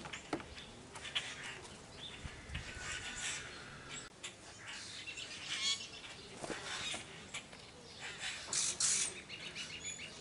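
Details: Blue jays feeding greedily on almonds put out for them give harsh, raspy bursts every few seconds, with sharp tapping and cracking sounds and light background rustle between calls.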